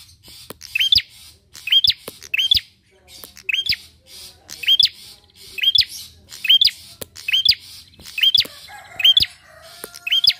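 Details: Bar-winged prinia singing nonstop, played as a lure to prompt other birds to sing: a long steady series of crisp hooked chirps, roughly one every second, over light clicking and quiet background hum.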